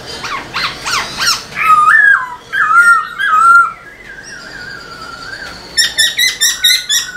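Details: Black-throated laughingthrush singing and dancing with its tail, used to stimulate caged laughingthrushes: rapid harsh notes, then looping fluty whistles, a long high sustained note, and a final burst of quick, sharp repeated notes.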